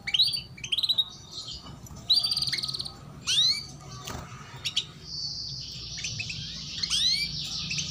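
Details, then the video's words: Female canary giving lure chirps meant to prompt young canaries to start singing; short upswept chirps and quick rattled series at the start, then a sustained buzzy trill with more rising chirps, over a low background hum. "PANCINGAN Kenari BETINA Cuit Cuit || Masteran Kenari Paud Agar Cepat Bunyi"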